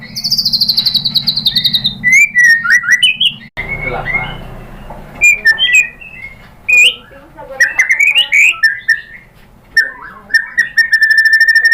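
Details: White-rumped shama (murai batu) song used as a lure to provoke another bird into singing: a varied run of clear whistled phrases, slurred notes and sharp chips with short pauses, over a low steady hum.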